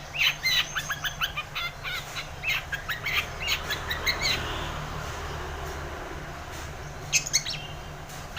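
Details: Long-tailed shrike in full song, played to prompt silent shrikes to sing: a chattering run of sharp, high notes in quick bursts over the first half, then a softer hiss with a few loud chips near the end.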